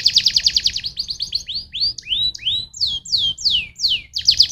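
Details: Canary song intended to stimulate other canaries: begins with a rapid high trill, then rising swooping whistles, several falling slurs, and another fast trill at the end.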